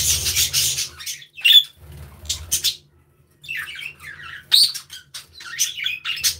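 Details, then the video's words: Budgerigars in an aviary chirping and playing: bursts of harsh buzzy squawks and warbling chatter, several birds overlapping, with short pauses between and a low hum underneath. "Happy Budgies Sounds"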